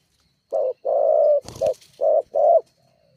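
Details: Spotted dove (tekukur) call meant to provoke rival doves, used as a lure to get birds calling. Several low hollow coos in a short phrase, broken once by a brief noisy click or rustle.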